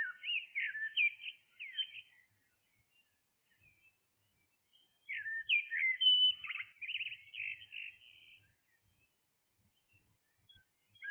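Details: Blackbird singing early in the morning, delivering two bursts of quick, warbled whistles and chirpy notes separated by a long quiet pause, with soft distant bird notes between.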